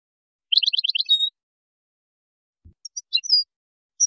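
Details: Moroccan goldfinch with a Widani-style song composition, 2019: a short rapid stuttering trill followed by a drawn note, then a pause with a soft low thump, then scattered thin high chirps and slurred whistles.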